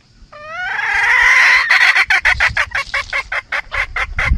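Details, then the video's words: Red junglefowl, hen and rooster calling to each other, sound used as a trapping lure: a loud rising harmonic crow-like call lasting over a second, followed by a rapid series of about a dozen clucks. "Tiếng gà rừng Gà mái gọi trống, Gà trống gọi mái"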